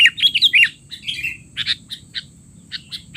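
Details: Loud sooty-headed bulbul chatter meant for tutoring young captive bulbuls: a strong opening burst of rolling, slurred whistles, followed by scattered short chirps at an uneven pace over a faint electronic whine.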